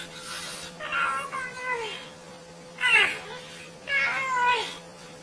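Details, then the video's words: Parrot making a strange noise like a kid: three separate whiny, meow-like cries spaced about a second apart, each sliding downward at the end, with a faint steady hum in the background. "Funny bird parrot with strange noise like a kid"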